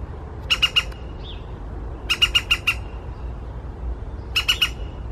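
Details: Woodpecker in the morning giving three short bursts of three to five sharp, harsh, evenly spaced notes, separated by pauses of over a second, over a low steady background rumble.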